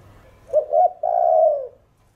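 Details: Caged spotted dove singing in the earth-toned voice used to stimulate other doves: a brief double hoot followed by a sustained, smooth, gently descending coo, clear against a quiet room.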